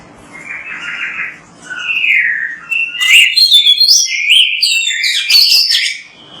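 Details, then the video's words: Energetic Oriental magpie-robin song recorded to prompt another bird to sing, opening with soft warbles and swelling into loud, rapid whistles and chirps. "MASTERAN BURUNG KACER GACOR BERSUARA MANTAB"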